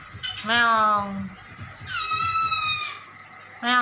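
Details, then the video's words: Captive black-throated laughingthrush, a tutor recording for pet birds, imitating a cat: drawn-out nasal mewing notes, each falling slightly, with a steady low hum underneath. "MASTERAN POKSAY HONGKONG SUARA KUCING"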